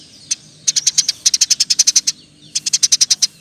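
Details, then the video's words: Eurasian tree sparrow in energetic roll song, a tutor recording for other songbirds: one lone chirp, then two quick runs of about ten high, clipped notes with a short gap between. "Burung gereja gacor. Roll tembak pas untuk masteran"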